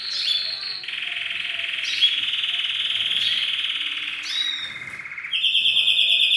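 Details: Courting male canary sings at a female to bring her to mating posture; a long steady rolling trill held for several seconds, then a shift to a higher, faster pulsed tour.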